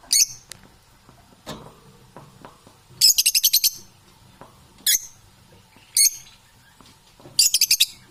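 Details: Parrots chirping in separate bursts: sharp high notes and quick rattling trills about a second apart, with soft scattered background sounds between calls.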